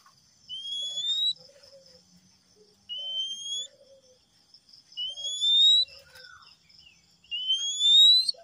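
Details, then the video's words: Male Oriental magpie-robin, for calming stressed or silent kacer: four pure rising whistles, steadily repeated about every two and a half seconds, the last one louder, with soft low warbles between and faint background hiss. "siulan kacer jantan"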